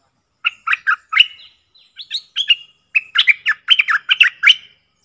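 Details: Decoy bulbul calling, one of four caged birds from the real forest. There are two runs of quick, bright, gurgling chirps separated by a brief pause. The second run is denser and louder, with around a dozen notes.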